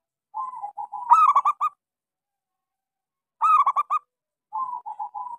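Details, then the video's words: Local zebra dove in steady song, used as a lure to get silent doves singing: a soft wavering coo, then a louder stuttering burst of clipped notes, with a second rolling phrase starting near the end. "Suara pancingan Perkutut lokal gacor suara kecil sangat cocok buat terapi kutut macet."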